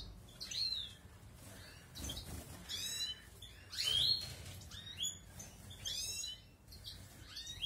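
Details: Balkan goldfinch in outdoor breeding, 2020 breeding season starting; a run of high, twittering, harmonic notes rising and falling, given roughly every second, over low background noise.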